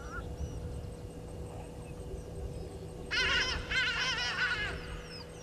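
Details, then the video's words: Burchell's starlings, two birds fighting at a waterhole on Djuma Game Reserve, Sabi Sand, South Africa, late afternoon of 20 October 2022. After quiet, a burst of rasping, chattering squawks runs for about one and a half seconds. A faint electrical hum continues throughout. "Burchell's Starlings-two are fighting"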